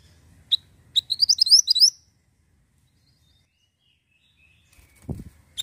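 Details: Ashy tailorbird song used as a lure: a quick burst of bright, sharply upslurred chirps about a second long, preceded and followed by isolated single high notes, with a faint low rumble and a soft thump near the end.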